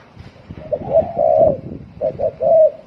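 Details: Spotted dove cooing quickly in the 'thổ còi' style: a brief burst of soft, throaty hoots and a longer coo, over a low rumbling background.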